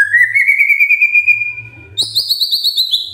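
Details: Magpie-robin morning song used to prompt other magpie-robins to sing: a long rising whistled note held for two seconds, then a rapid series of high, clipped whistled notes.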